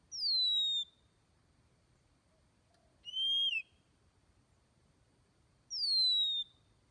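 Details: Oriental magpie-robin (Copsychus saularis) song: three clear, high whistled phrases, each sliding down in pitch, separated by pauses of about two seconds, against a quiet background.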